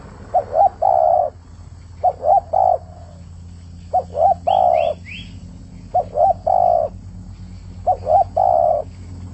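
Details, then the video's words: A spotted dove sings actively, repeating a phrase of two quick wavering coos and one drawn-out coo roughly every two seconds, five times. Three brief rising chirps from another bird sound midway, over a low hum. "Burung trkuku gacor"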